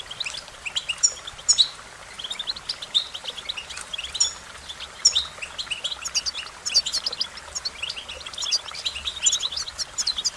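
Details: American goldfinch singing a long, jumbled, high-pitched run of chirps, trills and twittering notes, denser in the second half, with low background hiss throughout.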